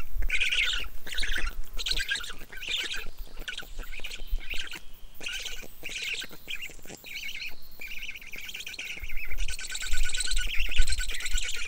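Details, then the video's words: A black stork feeding its chicks gives harsh, raspy squawks in irregular bursts of about one or two a second, over a steady low rumble. "Black stork call and feeding its babies!"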